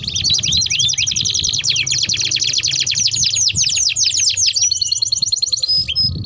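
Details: Energetic canary singing a long rolling song to lure and tutor young canaries: continuous high trill of rapid notes, slowing into downslurred whistles before a steady tone, low hum underneath.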